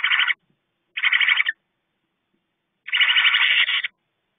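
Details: Two owlets in a nest box at night chittering loudly to each other while the female is briefly outside; three bursts of harsh, rapidly pulsed rasping chatter, the last lasting about a second, separated by silence.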